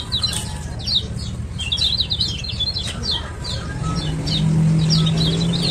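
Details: Quick high twittering notes from a male kecial kuning (lemon-bellied white-eye) of Lombok, repeated several times a second, set against a strong low hum that grows louder toward the end; a lure to make silent birds sing.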